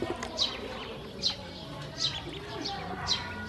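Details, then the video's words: Hungry domestic ducklings being fed by a woman, spaced-out high descending peeps roughly once per second, each clear and piercing, with quiet background murmur. "Hungry baby ducks"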